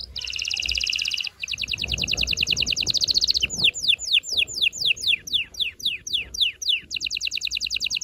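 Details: Loud, strong canary song to prepare females for mating, with a fast dense high trill, a second pulsed roll, then a long sequence of sharp downward-sweeping chirps repeated about twice a second.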